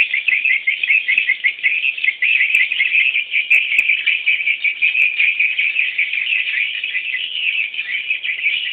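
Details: Swiftlet young waiting for the parent bird, a loud and very dense high-pitched chirring chorus with no pauses, broken by a few sharp faint ticks.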